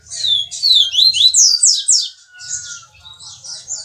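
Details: Double-collared seedeater singing the viviti song type, from Jordânia, Minas Gerais: fast, high, sweeping whistled slurs tumbling in quick succession, then softer buzzy phrases, with a faint steady lower tone in the middle.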